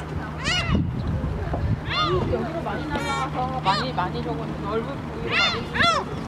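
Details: Several gulls flocking to be hand-fed shrimp snacks at Haengdam-do rest area, Dangjin, South Korea, give harsh, arching squeals in quick overlapping bursts, likened to a shouted "yah!", over a steady low engine-like rumble.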